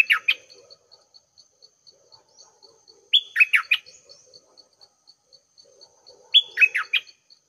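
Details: Red-whiskered bulbul, a decoy bird recorded at 6 am, repeating short chirpy warbled phrases about every three seconds over a steady faint ticking and soft low chatter.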